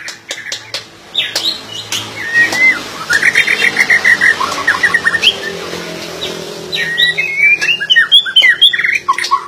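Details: White-rumped shama singing a fast trill of sharp repeated notes, then sweeping whistled phrases, preceded by a few loud clicks.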